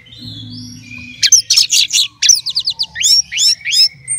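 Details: Caged orange-headed thrush ready for a songbird contest sings a steady string of loud, quick, zigzagging high whistles and chirps after a soft opening note.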